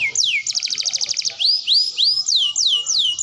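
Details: Canary singing, a training recording for young birds: a quick buzzy trill followed by loud rising and falling swept whistles repeated about twice a second.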